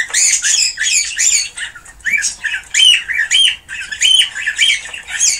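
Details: Stone-curlew giving shrill, harsh calls in rapid repeated bursts, several short rising and falling screeches each second, with a brief pause midway; calls played to stimulate birds to breed.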